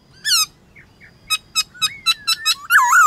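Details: White-cheeked laughingthrush in a morning song contest with wild birds: a loud, ringing note, two soft, short whistles, then a rapid series of sharp, high, clipped notes ending in a strong, wavering phrase.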